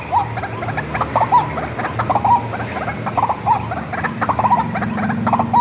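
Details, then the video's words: Hand-reared captive white-breasted waterhen, raised from young and used as a lure call: harsh, croaking notes in rapid clusters repeating roughly every second, over a steady low mechanical hum. "SUARA BURUNG RUAK-RUAK ASLI RAWATAN DARI KECIL MASTERAN TER AMPUH"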